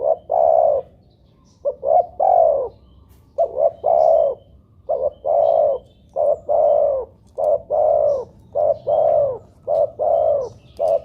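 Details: Spotted dove coos played to set doves calling: an almost unbroken run of low mellow notes over eleven seconds. Short notes and long falling coos follow one another quickly, repeating the three-part pattern many times with little pause.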